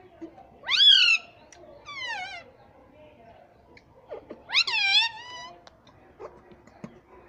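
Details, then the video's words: Pet ringneck parrot talking, said to say "Mummy": three short, strongly tonal, wavering voice-like utterances near 1, 2 and 4.7 seconds, the first and last loud and warbling, with faint clicks and room noise between. "Parrot Sound _ Mummy Bolta Tota Mitthu _ Talking Parrot _ Cute Ringneck Parrot mitthu"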